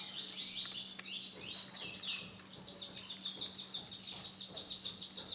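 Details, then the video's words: A white male canary sings a rapid, high, warbling trill of quick repeated notes about three per second, with swooping slurred phrases early on and a faint low hum beneath. "CANARY JANTAN PUTIH"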